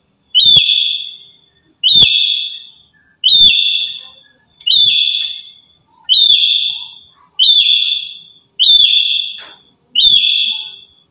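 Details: Black-capped lory kept as a trapping lure: eight bright whistled notes in a steady series, about one every 1.3 seconds, each starting sharply and trailing off, with a quiet background.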